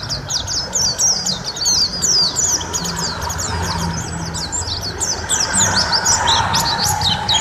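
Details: Long tutor recording of a white-eye singing actively: a busy stream of thin, high, rapidly repeated chirps and slurred notes, several strands overlapping, over a constant low hum.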